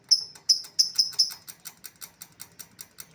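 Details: Lovebird call used to lure back an escaped lovebird: a rapid series of sharp, high-pitched chirps, about two to three per second, loud at first and fading over three seconds.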